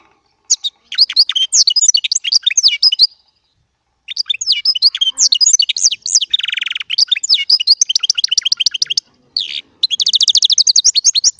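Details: Small Baster goldfinch singing chardonneret song: rapid twittering high notes and trills, with a buzzy nasal passage near the middle, broken by a short pause after three seconds, then resuming in fast ringing bursts.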